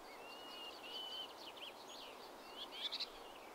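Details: A common whitethroat near Blaby, Wigston, Leicester, gives a faint, scratchy, hurried warble of high, jumbled notes over a steady background hiss.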